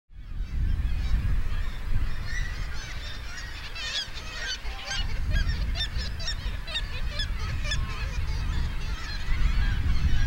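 Black Oystercatchers give loud, sharp whistled wheep notes in a rapid, excited series over heavy roaring surf or wind.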